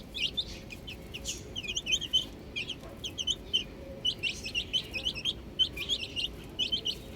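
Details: Several young chickens playing with a ball, giving dense high peeping chirps in overlapping bursts, short downward-sliding notes tumbling over one another, with a brief lull near the middle and a steady low background hum.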